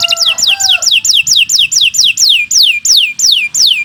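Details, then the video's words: Long-singing canary used as master material for training birds: after a brief lower tone, a steady series of about twelve clear whistled notes, each sweeping sharply downward, repeated roughly every third of a second. "Kicau Burung Kenari 149 II LUAR BIASA GACOR PANJANG Cocok untuk Masteran"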